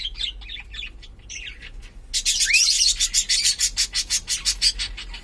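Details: Household cockatiel, sex undetermined, opening with soft chirps, then a brief rising whistle followed by a fast run of sharp, evenly spaced clicking chirps, roughly three per second, against quiet room background.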